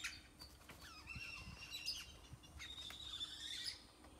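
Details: Birds in a tropical tree in Nayarit, Mexico, giving long wavering whistles and scattered chirps over soft background noise, with a few low knocks.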